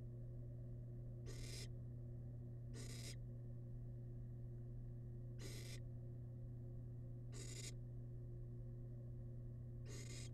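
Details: Wild barn owl chick eating rabbit remains in a monitored nest box repeats short snoring hisses, five across ten seconds at uneven gaps, with a persistent low electrical hum.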